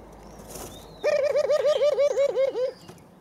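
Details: White dove chicks on their 23rd day, at eleven in the morning, one perched on a stick while the other learns to peck the ground; a loud rolling run of about ten quick arched notes over nearly two seconds, with faint chirps behind.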